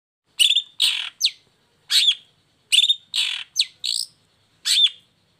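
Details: Long-tailed shrike singing actively with its cage cover off, used as a lure to get lazy or moulting shrikes to sing: harsh, scratchy notes mixed with quick upslurred whistles, in short bursts every half second or so, in a quiet background.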